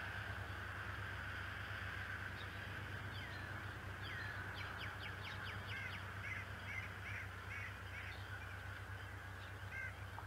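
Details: Decorah male bald eagle on a March 2018 morning, grass and a feather on his beak, uttering a fast series of thin, falling, piping notes midway, trailing off into scattered chirps, with steady background hum.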